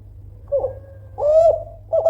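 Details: Spotted dove of the Kelantan type, a loud, persistent caller meant to provoke rivals into answering: a short coo, then a longer, rising, steady hooted note and the start of another, low and clear against a faint constant hum.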